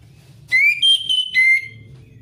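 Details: Orange-headed thrush, 'ngeplong ngalas' song played to coax a thrush that is too lazy to sing: three loud, pure whistles, one rising, one held high and steady, one dropping lower, with a faint low hum behind.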